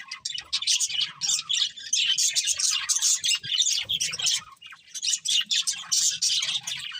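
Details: Budgerigar flock chattering in bursts of rapid squeaky, warbling chirps, short dips between phrases, some soft low knocks in the background.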